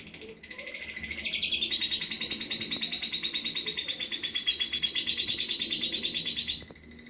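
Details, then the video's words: Lovebird singing energetically in the style called nyengklak: a long, fast run of high, buzzy, rapidly pulsed notes, around three per second, held steadily for about five seconds before stopping, with faint low background hum. "Love bird gacor Gaya nyengklak"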